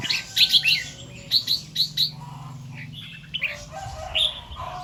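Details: Morning song of a red-whiskered bulbul in the doubled 2-3 and 'rik' style: clusters of short, bright, chirpy notes given in quick groups, then quieter scattered notes over a faint low hum.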